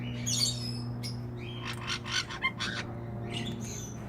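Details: Captive Black-headed Caique eating passionfruit at an aviary in Brisbane, Australia, in 2016, gives a string of harsh, raspy squawks and short screechy notes in quick bursts over a steady low electrical hum.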